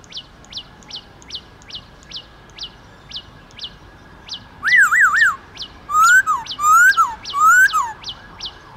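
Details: Black-throated laughingthrush singing in wild style to stimulate caged birds: soft sharp chips repeated about every half second, then a loud wavering whistle and three rising-falling slurred phrases.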